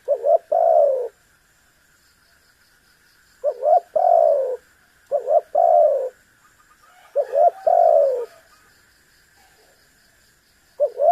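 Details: Spotted dove cooing to make a rival bird call back: low, soft phrases of two short hoots then a longer drawn-out descending coo, repeated about every three to four seconds over a faint steady high hum.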